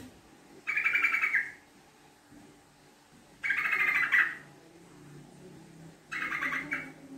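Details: Sooty-headed bulbul lure song, 'ngekek' chattering: three separate bursts of fast, rattling, bubbly notes, each under a second and spaced about two and a half seconds apart, in a quiet setting.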